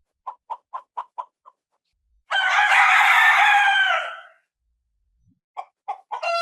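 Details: Rooster heard at daybreak, the crow announcing the start of the day: a quick series of short clucks, then a broad, harsh crow lasting about two seconds, followed by more rapid clucks.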